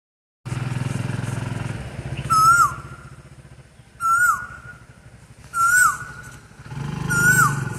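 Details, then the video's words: Asian koel singing: four clear whistled notes, each holding steady then dropping at the end, spaced about one and a half seconds apart, over loud, rumbling engine noise from a passing motorcycle or vehicle. "Asian Koyal Singing song"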